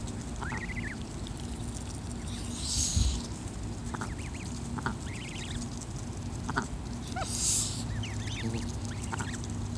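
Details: Goose mother guarding her young gives two rough, noisy hisses a few seconds apart; goslings, growing bolder, chatter with short high peeps throughout, against steady low-pitched background noise.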